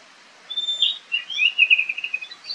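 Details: Wild Oriental magpie-robin in fighting mode, recorded by camera: after a brief quiet start, a long clear whistle leads into a lively, rapid warbled phrase of slurred notes.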